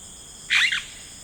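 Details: Single harsh, bright squawk from a yellow-rumped cacique in rainforest, lasting about a quarter second, set against a steady high insect drone.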